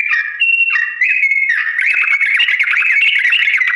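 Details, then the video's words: Long slow ropel song of a sooty-headed bulbul, used to teach birds to imitate: a few held, level whistles switching between high and lower notes, then a quick wavering, chattering warble carries on to the end. "TRUCUK GACOR ROPEL PANJANG NADA PELAN"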